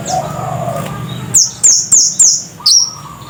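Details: Scarlet-headed flowerpecker (cit kersen) in full voice: five piercing, very high, slightly down-slurred tsit notes spaced roughly a third of a second apart, after a quiet stretch with faint lower whistles.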